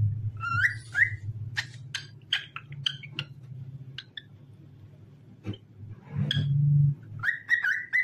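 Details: Cockatiel singing, meant to set other cockatiels off: whistled notes and rising slurs mixed with sharp clicks and harsh bursts, a pause in the middle, then a closing series of even whistles over a low background hum.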